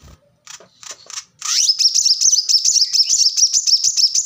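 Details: Plain-throated sunbird, known locally as kolibri kelapa or manggar, in a recording used to train other cage birds. A few soft chips are followed by a fast, high, rapidly repeated twittering trill.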